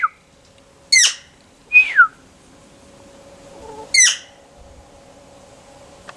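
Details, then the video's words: Wild bird, unused to humans, drawing close to a person offering food: sharp downward-sweeping notes near one and four seconds, a doubled falling whistle around two seconds, short gaps between, over a steady low hum. "Canto de ave 2. Mayor aproximación."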